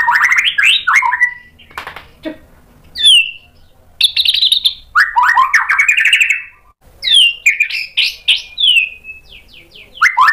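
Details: White-rumped shama provoked into singing, a varied burst of loud whistled and slurred phrases: rapid descending notes near the start, a high clear whistle, then chattering runs and rising trills, with short pauses between phrases.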